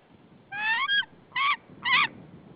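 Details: Female white-tailed eagle calling at her nest in Saunja, Estonia, on 24 March 2013 in the afternoon, her mate not answering: three harsh, yelping notes with a stuttering quality, the first longest, over low background rumble.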